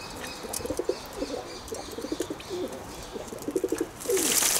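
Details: Pigeons giving a run of low, throbbing coo pulses, stuttering in quick groups across several seconds, ending in a sudden loud rush of broadband noise.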